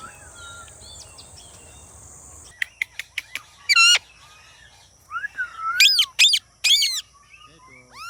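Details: Indian Ringneck parakeet producing a series of sharp clicks followed by loud, harsh screeches and a drawn-out descending squawk, with quieter chirps in between.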